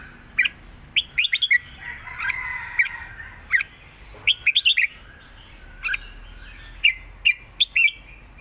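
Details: Looped southern Thai master song of a caged red-whiskered bulbul with chattering calls: groups of crisp, quick whistled notes in bursts, separated by short pauses, over a soft murmuring warble in the middle.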